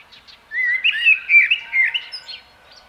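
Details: Common blackbird singing one warbled, flute-like phrase of rolling slurred whistles, briefly preceded by faint soft notes, then fading into a thin twittered tail; otherwise quiet surroundings.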